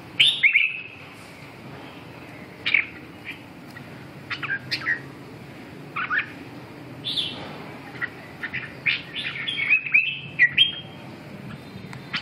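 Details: Red-whiskered bulbul song-training recording with a string of short, sharp chirps and brief warbled phrases spaced irregularly, some notes sliding downward, a busier cluster of notes toward the end, steady low hiss underneath.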